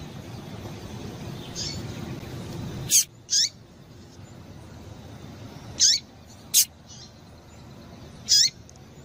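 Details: A female Rusty-collared seedeater gives the call used to warm up singing males: crisp, high chirps that slide sharply downward, about five in all, sometimes paired half a second apart, with faint low hum underneath.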